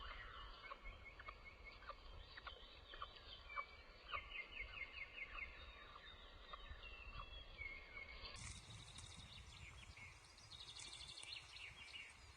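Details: Solo osprey chick at a Loch Arkaig nest in Scotland, 3 June 2023, heard on a boosted nest-camera livestream beside an unviable egg. It gives gentle chupping: runs of short, quick, high chips in bursts, with a steady noisy background hiss.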